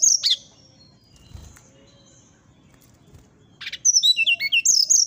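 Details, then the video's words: Brown-chested jungle flycatcher singing in a nyuling (whistling) style, said to agitate a neighbour's bird. A short high whistled burst opens, a quiet gap follows, then a quick run of sharp whistled notes rising and falling in pitch. "SATU SATU NYA SRDC NYULING BIKIN EMOSI SRDC TETANGGA,SIKATAN RIMBA DADA COKLAT"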